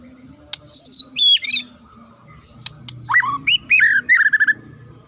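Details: Fighter-style song from a white-rumped shama, described as shrill, sharp and clear. Two high pure whistles come first, a quiet gap follows, then loud swooping phrases tumble into a quick series of repeated notes.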